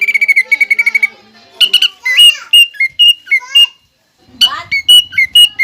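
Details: Greater green leafbird singing actively, its song filled with pelatuk bawang imitations: a fast run of clipped whistled notes, then loud bright whistles and rattly bursts, with pauses between phrases.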